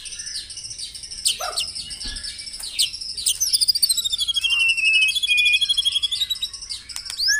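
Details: Morning song of the white-rumped shama, used to prompt caged birds into singing; high, thin trilled notes build into a long, rapid, even series of sharp repeated chips with brief whistles at the end.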